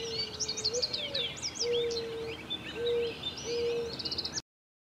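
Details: American robin hatchlings in the nest: clusters of high, slurred squeaks and chirps, with a repeated low sustained tone roughly every second, ending abruptly in silence.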